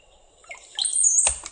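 Brown-headed Cowbird song: a few low liquid gurgling notes, like water drops, then a thin, very high whistle; a dull thump follows at the end.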